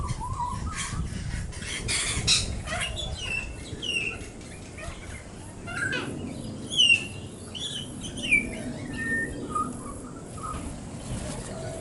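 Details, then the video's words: A young fledgling pied butcherbird, visiting with a parent near a water feeder on the morning of 21 January 2019, tests its voice with a rambling warble of short clear whistles and slurred notes over a low rumble and faint chirps. "Young Pied Butcher Bird Warbling Away"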